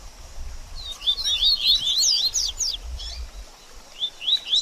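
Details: Double-collared seedeater, 'baderninha' song used to stimulate a bird after feather moult. A burst of rapid high chattering notes lasts about two seconds, then a pause and a few thin upslurred whistles, with faint low rumbling behind.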